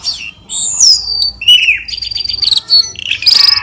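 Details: Cucak keling lure call meant to rouse caged birds: sliding whistles that fall in pitch, a quick buzzy rattle, and harsh chirps at the end.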